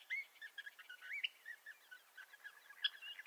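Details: Bendire's thrasher song from western North America: soft, scattered warbled notes around the middle-high range, short slurred phrases with brief gaps and one sharper bright note near the end, over a quiet background.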